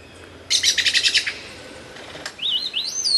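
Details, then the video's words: Lyrebird sounds loud and clear: a brief burst of rapid scratchy chirps, a pause, then high wavering whistled notes rising and falling. "suara burung lyrebird gacor buat masteran"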